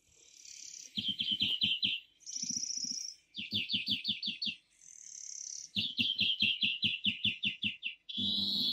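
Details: European greenfinch (Chloris chloris) at a spring feeder in Kandalaksha, Russia, alternates fast, rattling trills of repeated notes with long, buzzy, nasal wheezes, the phrases following each other with hardly a pause.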